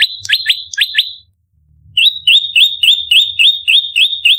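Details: Fighting call of a bar-winged prinia used for luring: a few doubled upswept chips, a short gap, then a fast, regular run of clipped rising whistled notes.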